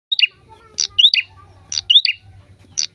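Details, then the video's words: Prinia singing actively, used to prompt other birds to sing: high sharp chirps with rising upslurred notes, grouped in short bursts about once a second, over a faint low hum. "prenjak gacor cocok buat pancingan burung anada"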